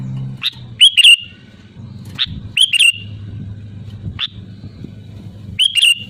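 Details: Sooty-headed bulbul, lure recording of loud lively song: quick bubbling phrases of slurred whistles about every two seconds, mixed with short single chirps, above a continuous low hum.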